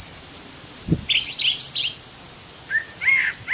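Brown thrasher giving two quick bursts of varied song: a jumble of high, scratchy chirps, then lower slurred phrases. A single soft thump comes just before.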